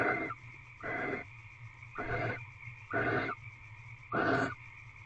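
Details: Barn owls bonding in a nest box on 27 February 2023 around 6 pm, tenth night of their mating ritual; five muffled, rasping bursts roughly one second apart, duller in tone, with a persistent low hum underneath.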